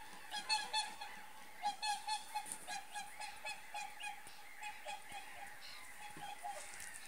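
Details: Whooper swans in Finland flying off a lake, giving repeated trumpeting honks at irregular intervals, with a steady tone and background noise.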